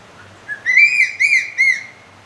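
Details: Crested serpent eagle giving a loud, clear call of three whistled notes. The notes are high and slightly arched, evenly spaced about half a second apart, over a quiet background.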